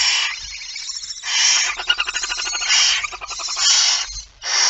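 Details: Barn owl, female with a mouse, recorded 17 September 2019 at 06:11; loud harsh broadband hissing in long bursts, broken midway by a rapid rattling pulse train, then two more rough hisses separated by short gaps.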